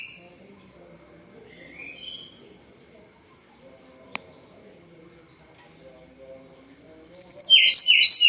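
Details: Sunda robin (tledekan gunung) singing despite moulting. A few soft high notes and a single click come before a loud closing burst of quick alternating whistled notes.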